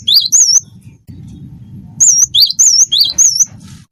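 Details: Gelatik batu, or cinereous tit, in wingko style: a short burst of high wavy whistles with lower slurred notes, a pause, then four more quick two-part phrases, over low background hum.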